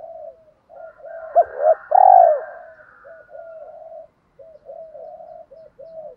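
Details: Spotted dove decoy call of males and females, used to goad other doves into answering with fighting coos: a stuttering pair of notes leads into one long, loud, drawn coo, surrounded by quieter repeated background coos.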